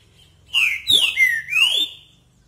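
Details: Green-winged saltator (Saltator similis), likely a captive bird, sings the loud "Paraná" or southern song type: one rich whistled phrase of three slurred notes, rising, swooping, then rising and falling, under two seconds.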